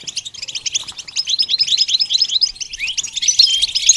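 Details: Goldfinch twittering in quick, tinkling phrases, rising in loudness with bright slurred notes toward the end.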